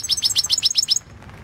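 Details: European goldfinch in the 2016 World Championship in Goldfinch Song competition: about eight quick, evenly spaced high, bright chirping notes in roughly one second, then silence.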